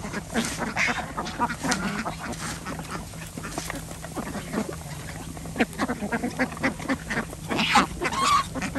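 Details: Farm ducks at feeding time on a village organic farm in Andhra Pradesh; a steady din of overlapping rasping quacks, roughly two a second, with a brief higher squeal near the end.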